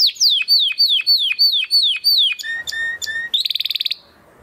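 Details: Belgian canary song with a series of repeated down-slurred whistled notes, then a few short clear piping notes and a fast buzzy trill before falling silent.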